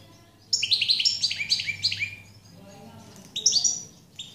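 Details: European goldfinch song: a rapid twittering run of bright chirping notes lasting two seconds, a pause, then a shorter burst of tinkling notes, with a low hum in the background.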